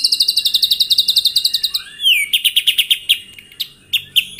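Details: White-rumped shama singing in the morning, a 'tembakan' song meant to rouse rivals into singing and showing their repertoire: long rapid trill of high, evenly repeated notes, a slurred whistle, then shorter fast bursts.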